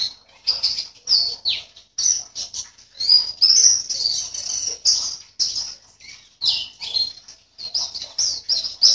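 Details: High, hurried twittering from a caged white-eye in Sambas, West Kalimantan, competing online: jumbled phrases of thin chips and sweeping slurs separated by short gaps, growing richer mid-phrase.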